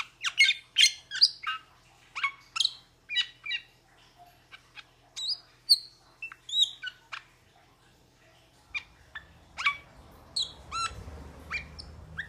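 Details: Rapid, uneven chatter of a metallic starling: many brief, sharp, high-pitched chips and squeaks tumbling out several per second, with occasional thin whistled notes and soft low background noise toward the end.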